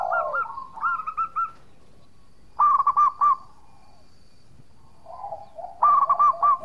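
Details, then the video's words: Local zebra dove (perkutut) singing vigorously, used as a lure to draw an answer from rival birds: three bursts of rapid, bubbling, staccato cooing notes, each about a second long, separated by silent pauses. "Perkutut Lokal Gacor Suara Merduk Cocok Buat Pancingan - Bikin lawan langsung Nyaut!!!"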